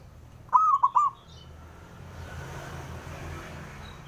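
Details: A male local zebra dove gives a challenge call meant to draw answers from rivals: one brief mellow phrase of three cooing notes, then low steady background noise.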